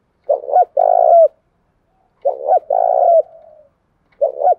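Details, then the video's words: Field-voice lure cooing from a spotted dove, meant to attract wild doves and goad them into fighting. Two full phrases, each a stuttered coo then a long buzzy one, and the start of a third. "cu gay kich boi nhanh noi gù chuẩn gáy gọi+ Thúc Đấu , tiếng gáy hợp bổi giọng đồng gáy gọi"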